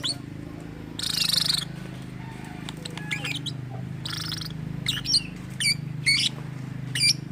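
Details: Lovebird making strange sounds said to mimic human speech: broad raspy bursts alternating with quick sharp chirps and short whistled notes, irregularly spaced, over a constant low background hum.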